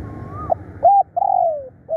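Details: Decoy spotted dove calling boldly and persistently: a faint rising whistle-like tone leads into a brief coo, then a long gently falling coo and the start of another, against a steady low hum.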